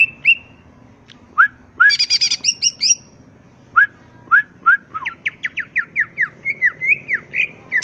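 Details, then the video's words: Greater green leafbird from the wild, its varied song used to bait other birds into answering: whistled notes and rising slurs, a burst of buzzy double notes, then a quickening series of slurred whistles. "pancingan suara cucak ijo full isian bikin nyaut suara burung cucak ijo alam liar"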